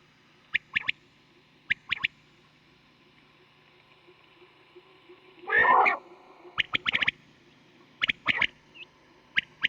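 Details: Quail calls from a night-time hunting lure recording described as a very deep voice: short, sharp notes in quick pairs and triplets with pauses between groups, broken by one harsh, noisy burst midway.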